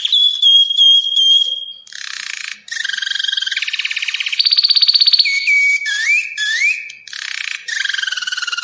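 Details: Belgian canary song combining a sustained whistle, buzzy rattling trills, a very rapid high trill, rising slurred whistles and further pulsing rolls.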